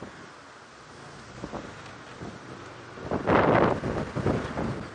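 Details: Wind buffets the microphone with low rumbling and a louder gusty burst partway through; no animal calls.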